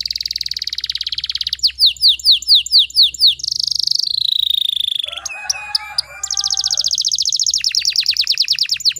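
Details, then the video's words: Canary song used as a lure to get stalled canaries to start singing: long rapid high trills, a run of descending swept notes, a lower harsh rattling tour midway, then fast even rolls to the end. "PANCINGAN KENARI MACET BUNYI PALING DI CARI"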